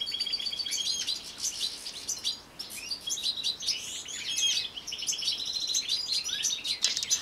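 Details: European goldfinch singing a long, dense, high twittering song of quick tinkling and buzzy notes, liquid trills running almost without break, with a few brief dips in loudness.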